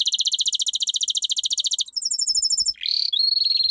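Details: Domestic canary training song: a rapid, even trill of repeated notes for two seconds, a higher faster trill, then a rising slur into a long steady high whistled roll.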